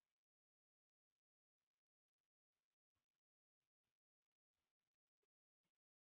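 A European Starling gives a jerky run of clicks, rattles and short harsh bursts at an uneven pace, broken by brief silences, like a beatbox.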